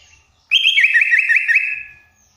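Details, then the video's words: Sooty-headed bulbul song given as a full, fierce fill-in style: one loud phrase of about one second, a run of quick bubbly wavering whistles that fall and rise in turn, then fade. "Burung trucuk full isian terganis"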